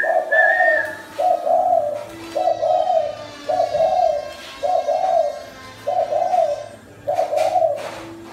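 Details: Spotted dove, a caged bird in Thai Nguyen, Vietnam, coos steadily indoors. Short husky, rolling notes repeat about once a second, seven in a row, after a brief human whistle at the start.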